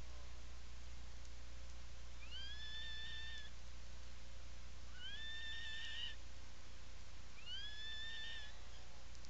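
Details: Seal Island National Wildlife Refuge, Maine, 17 July 2018, afternoon, Atlantic puffin in its nesting burrow: three evenly spaced whistled calls, each rising quickly then holding steady, about 2.5 seconds apart, over a steady low hum.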